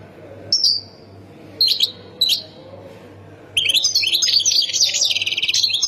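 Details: European goldfinch, Khemis Miliana sector of Ain Defla province, Algeria: a few isolated thin high calls, then a sustained bright twittering, buzzy song in the second half, over a low background hum.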